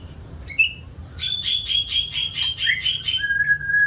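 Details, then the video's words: White-rumped shama, an eager singer, makes a short whistle, then a harsh rattling series of about eight rapid, evenly spaced buzzy notes, followed by a level sustained whistle. "Burung murai batu rajin bunyi"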